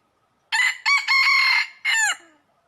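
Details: A red junglefowl in Laos, recorded while being trapped in early spring 2022, gives a full crow: a loud, ragged call of four segments, the long middle part held steady and the last phrase sliding downward, with silence before and after.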